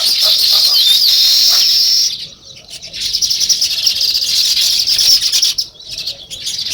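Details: A flock of sparrows outdoors gives a loud, busy twittering chorus of high chirps. It drops briefly after two seconds, then resumes with rapid overlapping calls.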